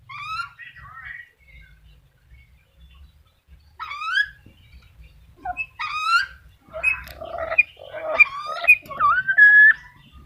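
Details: Black-capped lory calling with bursts of harsh, harmonic squawks and sliding whistled notes, sparse at first, then louder and denser toward the end, ending in a drawn-out rising whistle over a faint low hum.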